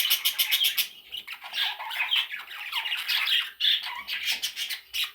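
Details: Young parrot chicks squawking nonstop in a small room, rapid harsh rasping calls pulsing in quick bursts, shrill and steady.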